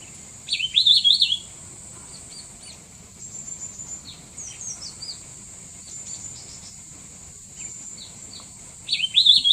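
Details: A Mishmi wren-babbler (Spelaeornis badeigularis) calls with two short, high, rapid twittering phrases about eight seconds apart, with faint chips between them, over a steady high insect hiss.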